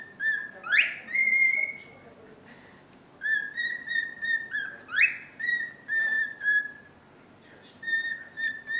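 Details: A cockatiel tries to sing the Totoro tune, whistling it in clear, flute-like notes with quick upward swoops between phrases.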